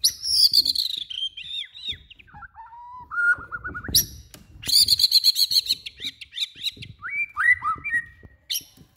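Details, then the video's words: White-rumped shama of the Borneo form singing: rich, varied phrases of high whistles, falling slurs and rapid repeated notes, with some lower whistled motifs, plus faint low background rumble. "Murai Borneo"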